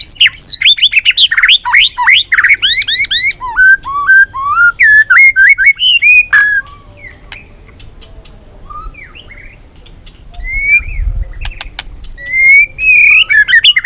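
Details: White-rumped shama of the Balak 6 type singing a lure song for bird trapping: a dense fast burst of buzzy sweeping notes, then looser whistled slurs, a quiet gap, and renewed whistling.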